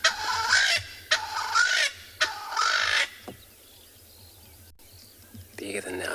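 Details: A Swainson's spurfowl gives three loud, harsh, grating crowing bursts about a second apart, heard during a morning game drive in a South African private game reserve; it is likely off to the left as its group moves.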